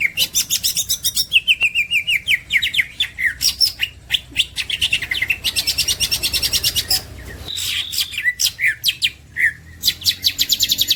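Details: Green leafbird singing as a champion masteran bird: long stretches of fast repeated high chirps and trills with varied phrases and short pauses between bursts.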